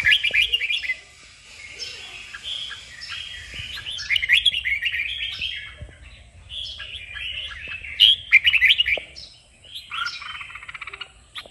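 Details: Red-whiskered bulbul in kích bổi song, played to train bulbuls to sing. Long warbling passages of rapid whistles and chirps are broken by short pauses, louder near the start and around eight seconds.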